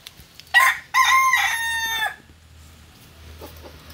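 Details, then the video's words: Angry rooster crowing once: a short harsh opening note then a long harmonic-rich crow held about a second and ending abruptly, followed by quiet with faint background sounds. "Angry #Rooster"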